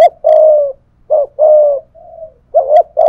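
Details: Spotted dove decoy in 'thổ pha thúc' style, cooing in a contest with a wild dove. Long, low, buzzy coos follow short clipped notes, and a quieter level note sits between phrases. Faint high clicks are heard at the start and end.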